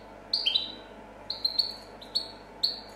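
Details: European goldfinch from a 2014 champion recording giving sparse, thin high notes: a few short whistled tweets spaced half a second or more apart over a faint background hum.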